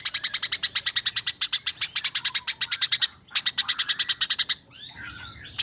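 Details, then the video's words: Tutor recording for competition birds of a Eurasian tree sparrow rattling off fast 'nyerecet' chirps: long runs of piercing, high notes, about ten a second, ending in softer fluttering, squeaky twitters. "Gereja Nyerecet Ngeroll Abis"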